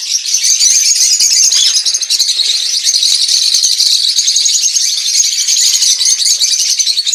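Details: A little flock of aviary lovebirds (Agapornis) chattering nonstop: dense, high, shrill chirps and squeaks overlapping into a steady twittering wall of sound, with no other clear sounds.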